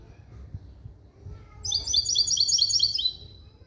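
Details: Hybrid of a male goldfinch and a female canary, trained to a clean goldfinch-based song, singing a fast, high, twittering phrase of rapid tinkling notes after a quiet moment with low background rumble.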